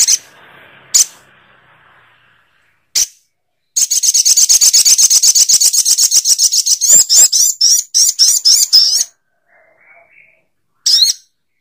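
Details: Little spiderhunter: scattered single squeaky notes lead into a long chattering series of rapid high chips lasting about five seconds, followed after a pause by another sharp note.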